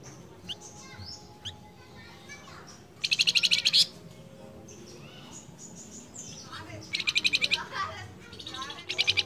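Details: A Tree Pipit calling for its female gives bright, rapid trills of high repeated notes in three bursts, each under a second long, over a background of soft chirps from other birds.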